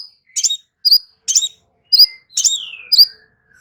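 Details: Crimson sunbird song, clear and high, used as singing therapy: about one sharp chirp every half second, closing with a long falling whistle that fades into a thin note.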